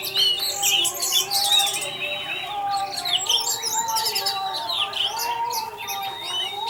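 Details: Orange-headed thrush teler singing, played to tempt other thrushes to join in: crowded high chirps and buzzy trills with sliding whistles, steady volume, over a low humming tone.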